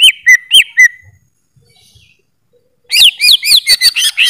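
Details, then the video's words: Greater green leafbird song: a burst of loud, clear whistled notes with sharp upward and downward slurs, a quiet pause of nearly two seconds, then a second, faster burst of varied whistles. "Suara Burung Cucak ijo"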